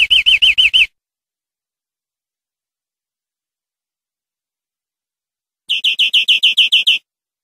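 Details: Greenfinch tutor song for educating captive birds: a short burst of wavering repeated notes, a long pause, then a second run of about eight rapid chirping notes.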